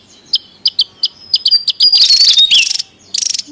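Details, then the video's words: Javan tesia in the wild, sound used to lure and train birds: evenly spaced sharp high ticks quickening into a run, then a loud buzzy burst with a slurred whistle. "SUARA PIKAT DAN MASTERAN TESIA JAWA RIBUT DI ALAM LIAR"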